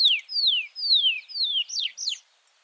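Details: Tree Pipit sings four sweet, slurred whistles sliding downward, then two sharper looping notes before falling silent.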